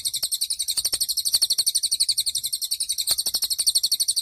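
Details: Continuous high, rapid trill from a cililin, about ten notes per second with a slightly wavering rhythm, filling the whole stretch; a master recording for teaching caged songbirds.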